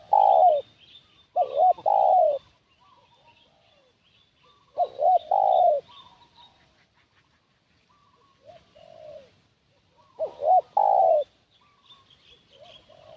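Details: Four loud cooing phrases from a spotted dove kept as a lure for wild doves, roughly every three seconds, each a pair of short hooked notes and a long descending coo, with fainter answering coos and thin high chirps behind.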